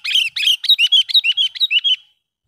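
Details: Lure sooty-headed bulbul calling wild birds in: a fast run of about a dozen bubbly, warbling chirps over two seconds, starting loudest and tapering off cleanly.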